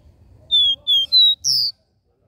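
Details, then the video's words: Capped seedeater singing the three-note regional 'dó ré mi' song: four clean, high whistled notes in quick succession, the first three fairly level and stepping upward, the last higher and slightly slurred, over a quiet background. "CANTO DO CABOCLINHO DÓ RÉ MI 3 NOTAS REGIONAL"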